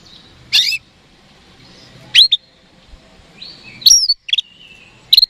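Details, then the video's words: Oriental magpie-robin song played to provoke rival birds into answering: sparse harsh, rasping bursts alternate with a drawn-out flat whistle and rising-falling whistled notes, with quiet pauses between. "PANCINGAN KACER HARIAN 🔥 Super GACOR Ampuh Bikin Lawan Cepat Respon"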